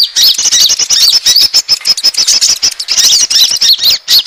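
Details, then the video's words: Asian glossy starling lure sound for attracting birds: dense, rapid, squeaky high chirps and whistles packed almost without pause, some notes sliding up and down, forming a continuous shrill chatter. "suara pikat burung konin ampuh"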